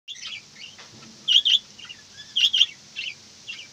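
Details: Budgerigar chirping in paired bright notes, two clusters of quick double chirps about a second apart with softer twitters between, over a faint steady hum.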